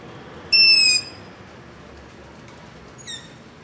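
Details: At night near a house, a long-eared owl gives a begging call, recorded on a ZOOM H5 with LOM Usi Pro: one loud, thin, squeaking screech, then a fainter, shorter one about two and a half seconds later.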